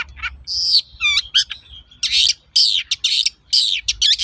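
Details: Long-tailed shrike song as a lure to get other shrikes to answer: harsh raspy scolding bursts alternating with a few whistled, downslurred notes, loud and repeated roughly every half second.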